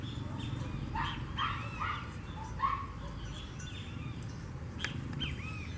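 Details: Blackish rail (Pardirallus nigricans) at Araçatuba, São Paulo, Brazil, giving scattered squealing, arched notes every second or so over a steady low rumble of background noise.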